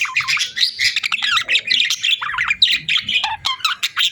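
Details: Cheerful budgerigar chirping, parakeets calling continuously in a fast stream of warbled, scratchy chirps and short squawks with no pauses throughout.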